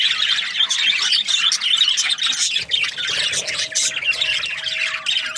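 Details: Budgerigars in breeding season keep up a dense, busy chatter of shrill chirps and squawks, with occasional louder sharp notes and a faint steady low tone in the later part.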